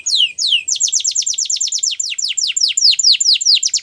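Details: Russian canary in flute singing style: rapid series of clear whistled notes, each sweeping sharply downward, delivered at about two to three per second with slightly varying pitch.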